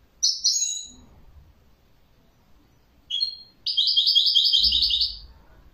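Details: Goldfinch song with a short twitter, a brief high pair of notes, then a fast, rolling, metallic trill of repeated chirps lasting nearly two seconds, with soft low bumps.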